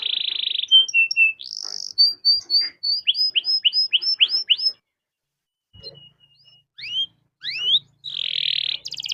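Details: Canary singing a long rolling song meant to prompt other canaries to sing: a buzzy opening, then a run of rising whistled notes repeated several times a second, a pause, and then scattered slurred notes and a buzzy trill.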